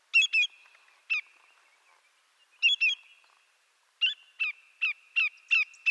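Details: Greater yellowlegs (Tringa melanoleuca), a North American shorebird, calling: loud, ringing, downslurred 'tew' notes, first in pairs and singles, then a quick series of six, over a faint steady whistled tone.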